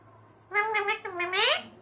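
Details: Indian parrot imitating Hindi words: two short voiced, speech-like syllables with rich harmonics, the second sliding down then up, over a quiet low hum.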